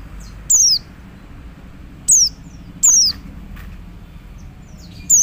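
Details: Male Oriental white-eye calling to other white-eyes: four thin, high whistled notes, each sliding steeply downward, spaced irregularly over five seconds above a faint low hum.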